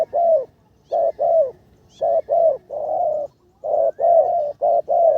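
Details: Spotted dove decoy bird, which is improving in its third training session, utters repeated rounded coos in paired and single notes with short silences, about one phrase per second, in karom style.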